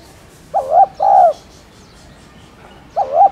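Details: Soft cooing of a spotted dove, played to encourage caged doves to coo: one full phrase of a short wavering coo plus a longer rounded one, then the next phrase beginning after a two-second gap.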